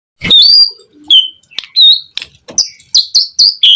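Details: White-rumped shama song used to provoke other shamas into singing: loud, clear whistled notes around a high pitch, some sliding and some short and sharp, delivered in bursts separated by brief pauses.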